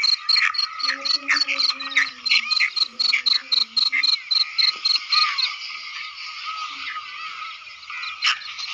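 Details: Excited female grey francolin giving rapid, regularly pulsed high notes, several per second, then a blurrier run of chirps. Faint low voices sound briefly in the background during the first half.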